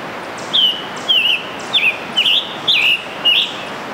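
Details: A scarlet tanager sings at Letchworth State Park, New York, on 3 June 2015: six short, hoarse, burry phrases in quick succession, roughly two each second, slurring up and down at mid-high pitch over a soft background hiss.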